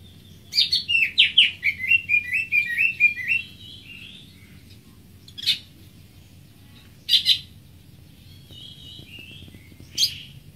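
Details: Greater green leafbird opening with a quick three-second cascade of twittering, descending whistled notes. Only a few isolated sharp chirps break the quiet after that.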